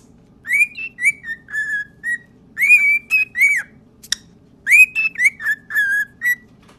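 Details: Cockatiels whistle a string of clear, rising and falling notes in short bursts, singing their favourite learned song nonstop.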